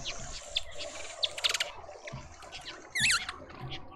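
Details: Mousebird calls at a garden feeder in Pretoria, South Africa: a short burst of buzzy clicks midway, then one strong wavering whistled note near the end, over faint background twittering.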